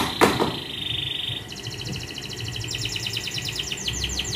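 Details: Young canary in full song: a steady high buzzy trill gives way to fast, evenly pulsed rolling tours that rise and fall, preceded by one sharp knock at the start.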